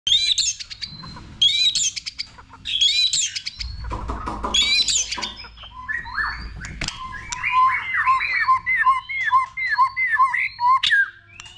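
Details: White-rumped shama, a bird kept for song training, in a bright, varied song: rapid high chattering phrases, then clear whistled notes and repeated short downslurred whistles near the end, over a low steady hum.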